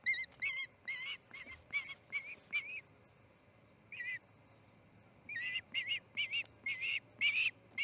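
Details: Osprey at the Charlo nest on the morning a chick fledged, August 10, 2018; fairly soft, irregular groups of high whistled chirps, a pause, then another run of piping notes.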